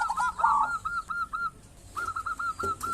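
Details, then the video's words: Local zebra dove, used to coax others of its kind to sing; a louder burred phrase followed by a string of short, evenly spaced soft cooing notes, a pause, then another rapid even series. "Perkutut lokal gacor cocok buat pancingan burung perkutut"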